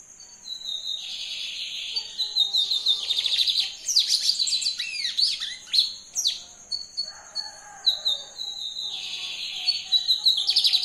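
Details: Lined seedeater, brown plumage, in lively full song: buzzy high phrases alternate with rapid rattling trills and dropping whistled slurs, the pattern recurring twice across the passage; faint steady high-pitched hum throughout.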